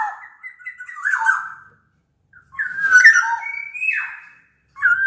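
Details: Sumbawa black-naped oriole, bigger than Balinese or Javan birds, used as a lure for lazy orioles: rich liquid whistled phrases with swooping slurs, three bursts broken by pauses, clean background.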